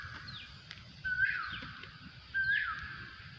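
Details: In a rubber plantation an Asian koel gives two clear, upward-sweeping whistles roughly 1.3 seconds apart, with faint higher slurred notes and low outdoor noise underneath.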